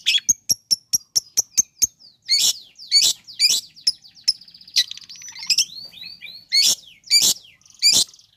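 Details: Long-tailed shrike song intended to provoke a reluctant shrike: a quick string of dry clicks, then loud harsh rasping notes repeated about every half second with thin warbled and slurred notes in between.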